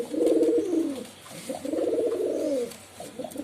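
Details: Pigeon cooing indoors: two long, low, throbbing coos, each rolling and slightly falling in pitch, with a brief pause between them and faint room noise.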